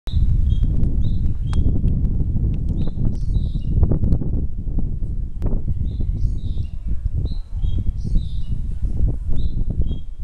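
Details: A bird chattering in Jiufen, Taiwan: short, clipped high chirps given singly and in quick pairs throughout, over a loud, constant low rumble of wind or handling noise.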